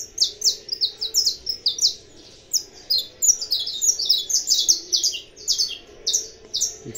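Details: Captive saffron finch bred for fibra singing, delivering a long, rapid sequence of high, buzzy chirped notes in quick bursts with a brief pause near the middle, over a faint low hum.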